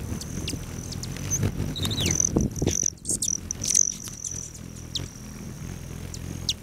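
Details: Hummingbirds at lodge patio feeders near Great Sand Dunes National Park, Colorado, July 29, 9:14 AM; a steady piercing high whine with brief twittery chips and one short descending squeak, over low background murmur.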